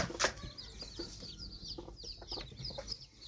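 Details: Red junglefowl chicks giving rapid high chirping peeps, many short notes overlapping throughout, with one louder sharp burst near the start and soft rustling below.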